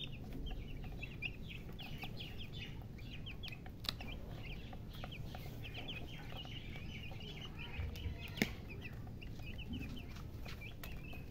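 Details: Chicks, young domestic chickens, chirp continuously in a busy flock chorus. Quick, thin, high peeps overlap with one another over low background hum, with a few sharp clicks or knocks.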